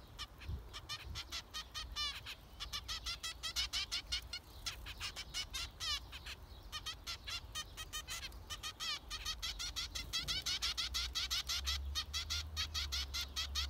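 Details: Zebra finches calling almost continuously, dense run of short nasal buzzy notes and chattering, roughly three per second, several birds overlapping, with a low hum in the background.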